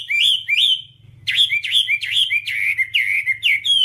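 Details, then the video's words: Two rising whistles from a Whambie, a brief pause, then a lively burst of rapid slurred notes, repeated quickly. Taken from a nonstop tutor track for caged birds. "Masteran Whambie nonstop 1 jam"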